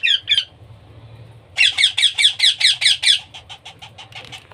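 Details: Hand-fed baby parrot: two short squawks, a pause with low background hum, then a long rapid train of loud harsh begging calls fading into softer ones.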